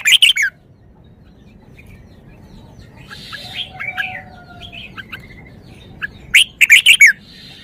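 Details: Red-whiskered bulbul displaying its range of song phrases: a sharp warbled burst, soft scattered chirps and a thin drawn-out whistle, then another loud, quick run of slurred notes.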